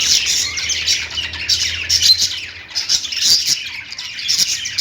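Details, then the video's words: Chirping lovebirds fill the recording with shrill, overlapping twitters and raspy squawks, briefly thinning near the middle before the busy chatter surges again. "Lovebird Singing & Chirping sounds"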